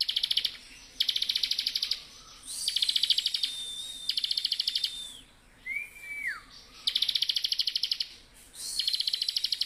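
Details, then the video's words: Ngebren-style continuous song of a Bar-winged prinia, with bursts of fast, buzzy pulsed trills repeated back to back, broken by drawn-out thin whistles and one brief downward-curving whistle. "ciblek gacor full.. ngebren"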